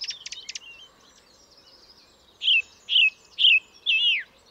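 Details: A song thrush repeats one loud, fluty phrase four times at regular half-second spacing, the last version slurring downward, after a burst of thin high notes from another bird.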